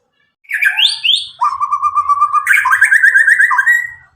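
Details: Nine-month-old white-rumped shama of the Medan type, freshly moulted out of spotted plumage, used to coax silent young birds: two upslurred whistles, a low repeated note series, then a fast higher warbling trill.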